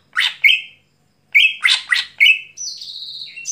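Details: Night-time song of a greater green leafbird: rasping broadband notes alternating with flat, clear whistles, then a thin high sustained whistle slurring downward. Quiet background.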